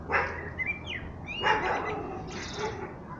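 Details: Common blackbird singing: fluty, warbled phrases with upward-slurred whistles, followed by a higher, thin twittering flourish near the end. A faint low hum sits underneath.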